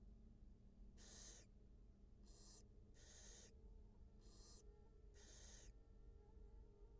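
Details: Barn owl nest live cam, a wild mother feeding her two newly hatched young; five harsh, airy hissing bursts at uneven intervals, set against a constant low-pitched electrical hum.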